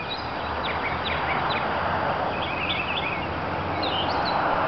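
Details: Mockingbird singing in Tallahassee, Florida, USA, about March 8 in subtropical spring: short, varied whistled and slurred phrases, rising and falling, sung over a steady rumble of traffic noise.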